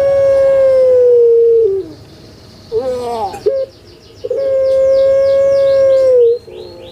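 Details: Captive puter pelung collared dove, a kept songbird famous on Java, Indonesia: a long, level, mellow coo held nearly two seconds and dropping at the end, a few short broken notes, then a second drawn-out steady coo.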